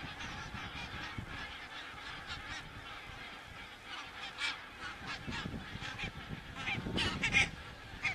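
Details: A flock of geese in Estonia, picked up by a crane-watching camera on 27 September 2017, giving a steady babble of honking calls. Louder, sharper honks break through near the end.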